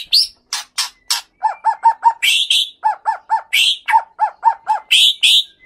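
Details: Aggressive song of a male white-rumped shama from the Leuser mountains near Bahorok, Aceh, tutored with master birds. Low hooked notes repeat in quick runs of four or five, broken by shrill high bursts and snapping clicks.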